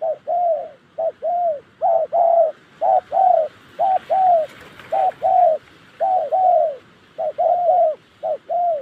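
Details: Spotted dove in the wild Central Highlands forest of Gia Lai, Vietnam, giving clear mellow coos, short and drawn-out notes in irregular groups, roughly one per second, with a faint background hiss.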